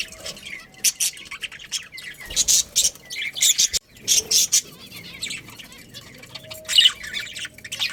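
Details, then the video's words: Budgerigars from a breeding colony chattering in short, bright bursts of chirps and squeaks, roughly one burst per second, separated by quieter stretches and a brief thud near the middle. "Cute Budgies Chirping Sounds"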